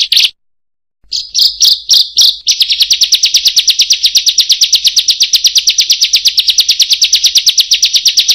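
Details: Bar-winged prinia in 'roll tembak dan panjang' song: a short high burst, silence, a few spaced chips, then a long, steady, fast trill of piercing notes.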